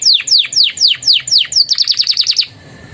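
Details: Canary tutor song carrying Javan tesia and bar-winged prinia phrases. Six clear falling whistles, each about a third of a second apart, are followed by a quick stuttering run of short notes that stops abruptly.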